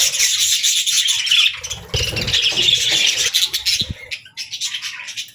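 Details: Budgerigars singing in a dense, hissy chatter of overlapping high chirps and rasps, fairly continuous, with a few low thumps and knocks partway through.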